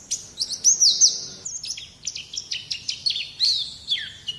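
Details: High white-eye song from a training recording for young birds, with looping whistled notes at first, then quick descending chirps and a final falling note.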